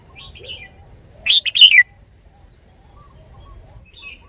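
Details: A red-whiskered bulbul, caged decoy bird in Thailand, sings one loud phrase of four fast, slurred whistles in the middle, with softer distant bird calls before and after.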